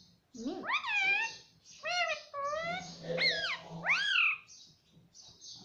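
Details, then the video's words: Talking pet parrot, said to say "mummy" and "papa", utters a run of rising, ringing harmonic calls, some low and throaty, others bending sharply upward, almost without pause. "Mummy Papa Bolne Wala Tota || Talking Parrot"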